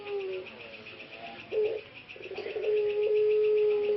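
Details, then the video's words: Male ringneck dove (puter pelung), hoarse after long caging on an Indonesian breeding farm and now recovering: brief rough coo fragments, then a long, steady, level coo held to the end, with a pulsing background hum. "Proses Recovery Suara Yang Agak Serak Pada Puter Pelung"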